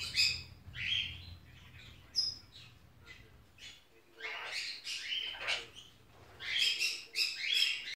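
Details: Pet sun conure, female and six months old, at home over Christmas with Die Hard on. Strident buzzy screams come in clusters, with a quieter stretch mid-way before a dense burst of rapid shrieks at the end.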